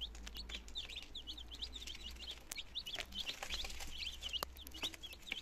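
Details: Nineteen healthy chicken chicks on their second day in Germany, 17 September 2022, starting to try eating and drinking; a dense chorus of high, short, downward-sliding peeps overlapping continuously, with a soft low hum underneath.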